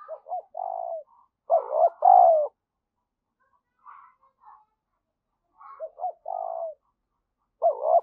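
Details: Decoy spotted dove calling in the urgent 'gáy thúc' style with cooing to stimulate wild birds; hollow phrases of quick short notes ending in a drawn-out descending coo, recurring every few seconds, with quiet distant coos in the gaps.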